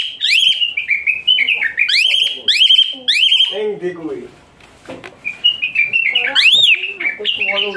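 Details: Asian pied starling tutor song for training birds: rapid shrill rising and falling whistles, then lower buzzy, nasal chattering notes and a final arched whistle.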